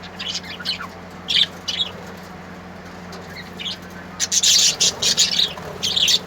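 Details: Colourful birds singing: scattered high chirps early on, then a dense, loud stretch of rapid scratchy twittering in the final seconds, with a continuous low hum underneath.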